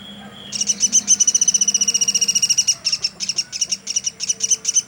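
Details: Woodpecker called platuk sampit, recorded nonstop as a tutor for songbirds: after a brief quiet start, a very fast, dense rattle of shrill notes, then slower spaced chirps.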